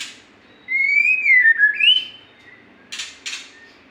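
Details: Magpie-robin singing vigorously: one clear whistled phrase that rises, dips and climbs again, followed by two short harsh bursts.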